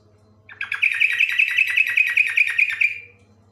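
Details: Yellow-vented bulbul (trucuk) singing in the long rapid 'ropel panjang' style: a fast run of about a dozen bright, bubbly repeated notes, evenly spaced, then fading, over a steady low electrical hum.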